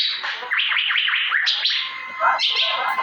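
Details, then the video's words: Asian fairy-bluebird chirping for masteran use: a dense, echoing chain of looping, wavering notes that rise and fall rapidly, ending in a brighter, harsher burst. "Birds Cirphing Master Sound Effect Cucak Biru/Irena Puella"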